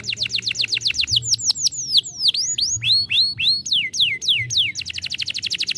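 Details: Canary song used to stimulate a young canary, a fast, lively series of clear, whistled downslurred notes, rolling rapid trills and swooping phrases, repeated several times a second.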